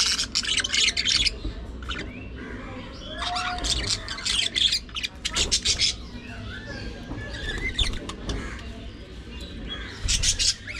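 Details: Several pet budgerigars during daily play and squabbles: bursts of buzzy chatter and chirps separated by quieter spells, with a short low whistled slur and a final burst of warbling.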